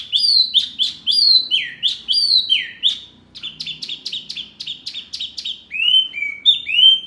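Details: Masteran birdsong meant to prompt healthy caged birds to reply; bold descending whistles in quick sequence, a burst of rapid sharp repeated notes, then lower sweeping whistles.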